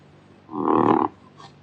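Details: Kakapo (Strigops habroptilus) giving a single harsh, hoarse call about half a second long, mid-pitched with a rough buzzy texture, against a faint low background hum.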